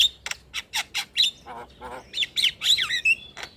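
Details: Song of a starling, played to coax quiet caged starlings to sing: rapid harsh, noisy rasps and clicks follow each other quickly, giving way to squeaky whistled twists and a thin high whistle near the end.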